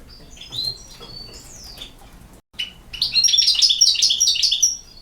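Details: European goldfinch song from Bosnia and Herzegovina: scattered high twitters and a descending slur, a short pause, then a dense burst of rapid, bright, tinkling notes.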